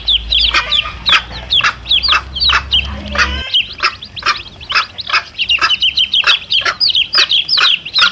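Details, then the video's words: Chicks calling near their mother hen, a recording meant to lure wild junglefowl cocks: shrill falling cheeps in quick runs with crisp clicking pulses, and a low rumble that cuts off partway through. "SUARA ANAK AYAM DAN INDUK NYA"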